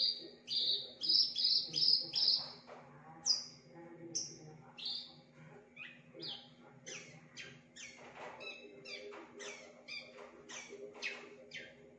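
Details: Javan bush lark, kept in a cage, singing a varied song that copies other birds: clear high whistled notes at first, then rapid dry clicks and chattering phrases, with a low mechanical hum throughout.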